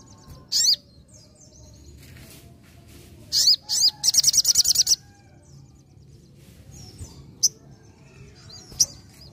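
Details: Sogon with vigorous nembak ngalas song: sharp downslurred high calls, a short fast trill of several shrill notes, then sparse single chirps over low background noise.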